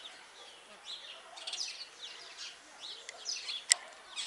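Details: Superb starling giving scattered squeaky, chattering notes, with a sharp click near the end and a faint noisy background.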